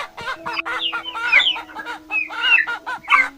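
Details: Chicken among farm animals, giving a series of short harmonic clucks and squawks, some rising, spaced irregularly over about three seconds, over a steady low hum.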